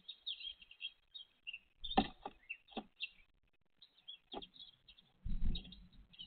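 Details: Great tit mother with chicks, 29 April 2023. High, shrill chirping runs throughout, broken by several sharp knocks and a short scraping thud near the end.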